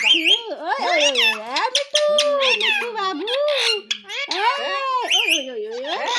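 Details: Pet Alexandrine (Pahadi) parakeet talking "mithu mithu" in a shrill, nasal, speech-like voice, with rapid rising and falling syllables and a few sharp squawks, almost without pause.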